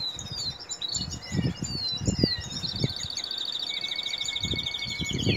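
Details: Canary in breeding season singing a continuous high twittering song of whistled slides and rapid trills, ending with a long, steady, even trill, over low knocking and thudding noises.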